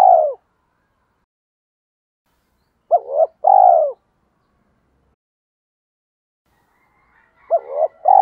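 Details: Spotted dove used as a decoy, cooing to lure others: a falling coo ends one phrase, a paired short note and long downward coo follow midway, and another phrase begins at the close, separated by silence.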